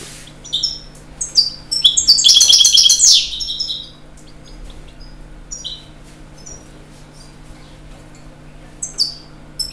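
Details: Singing European goldfinch delivers a dense, rapid burst of high, liquid twittering, then scattered sharp chirps with pauses, over a quiet background.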